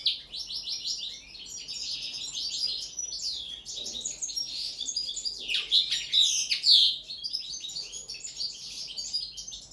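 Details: Linnet trained to sing on the table, delivering about ten seconds of continuous twittering song with fast rattles, buzzy slurs and a few loud ringing notes, around two phrases per second.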